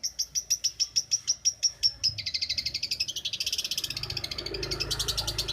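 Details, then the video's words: Tutor recording of a champion long-tailed shrike from Banyuwangi: a row of evenly spaced, clear piping notes speeds into a dense, continuous buzzy trill with a low background hum. "MASTERAN CENDET JUARA"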